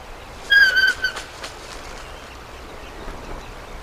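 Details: High whistled call at a bald eagle nest during a three-ounce chick's first feeding, the adult female tearing small pieces of trout, morning of March 24, 2024. One loud, slightly falling whistle with faint overtones, then quiet rustling.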